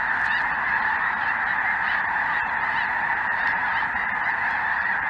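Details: Snow geese mixed with greater white-fronted geese and possibly Ross's geese, a large flock filling the sky over southern Indiana on a chilly afternoon, 23 January 2023; a dense, unbroken chorus of overlapping nasal honks and yelps throughout.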